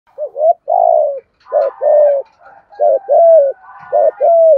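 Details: Spotted dove from Dong Nai, Vietnam, with a "thổ" style voice in the "thúc gù" manner, used to lure other doves: repeated two-part coos, a short note then a long falling coo, with fainter overlapping coos behind.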